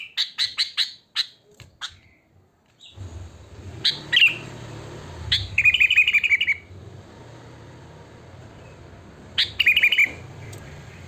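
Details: Sooty-headed bulbul singing in the wild, used as a lure for other bulbuls: a few quick sharp notes, then short bubbly, warbled phrases with pauses between them, over a low background rumble.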